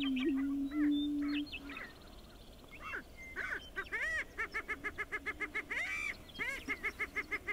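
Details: Male greater prairie chickens on their lek for dancing and parading at Wray, Colorado, in April: a low moan opens, then a rapid run of cackling notes repeated about three times a second.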